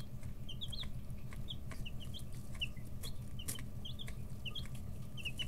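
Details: A group of 11- to 13-day-old chicks in a brooder keeps up a busy run of short, high, chirpy peeps, often paired or tripled, over a steady low background hum.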